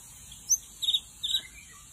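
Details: White-rumped shama song used as a lure in the forest: a few short, high, sharp whistled notes, one bright note then two quick paired bursts, over faint steady background hiss.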